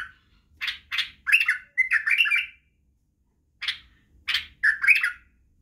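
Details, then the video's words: Training song of a Badrawi white-eared bulbul for young birds: sharp clipped notes running into a slurred, warbling phrase, a pause of over a second, then another set of crisp notes and a short warble. "لتخريج وتعليم افراخ البلابل على التغريد و البرواز وطك الجناح بلبل بدراوي"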